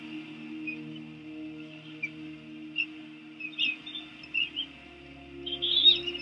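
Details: Bald eagle eaglets at a Washington DC nest, recorded by nest camera in 2017, squealing while being fed a rodent: faint, high, thin chirps and squeals scattered throughout, growing louder and denser near the end, over a steady low hum.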